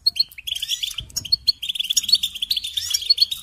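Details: Brief burst of European goldfinch song, quick tinkling chirps and twittered notes tumbling together in a lively, unbroken stream with a soft low thump in the background.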